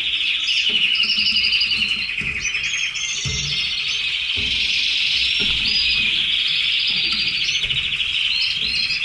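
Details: Pet red canaries singing steadily: dense, rapid, high rolling trills and chattering phrases run without a break, with occasional soft thumps in the background.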